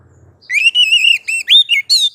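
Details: Oriental magpie-robin (kacer) master song meant to draw a reply from listening birds: a continuous run of bright, warbled whistles, first a long wavering note, then quick rising and falling slurs ending in a high, upward-swept phrase.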